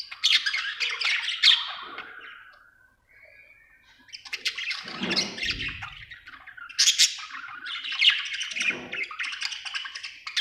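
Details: Happy budgerigar chirping in bursts of dense, scratchy high warbling, a quiet pause near the third second, then chatter resuming with a few low thumps mixed in.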